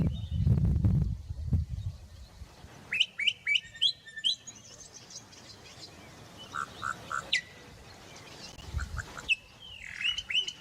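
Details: Bokmakierie calling in the Karoo with short, ringing whistled notes in quick bursts, some mellow lower phrases mixed in, after a low rumble of wind at the start.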